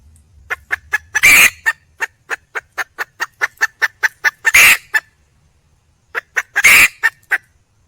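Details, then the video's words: Red junglefowl hen in the wild calling for a male: fast regular clucking, about four per second, punctuated by three loud, harsh squawks. "le bruit d'une poule sauvage,เสียงไก่ป่าร้องหาถู่หาตัวผู้,ສຽງໄກ່ປ່າຮ້ອງຫາຄູ່ຮັກ, poj qaib qus see"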